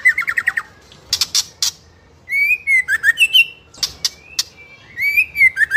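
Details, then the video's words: Fighter-type juvenile 'trotol' white-rumped shama (murai batu) singing continuously to provoke other young shamas. A rapid stuttering note series, then varied loud whistles and sharp clicks run almost without a break. "Pancingan Murai Trotol FIGHTER Ngeplong Bikin Trotol Lain Terpancing Emosi Ikutan Gacor"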